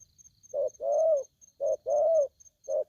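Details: Aggressive young spotted dove, newly taken from the wild, gives a few husky coos: a short note followed by a long arched one, twice, then a short note again, with a quiet high electronic pulse.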